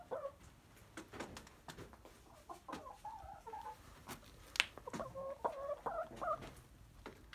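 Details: Domestic chickens in their coop on an ordinary day, a rooster among curious hens: short murmured clucks and soft chattering calls toward the end, mixed with scattered clicks and knocks from the coop.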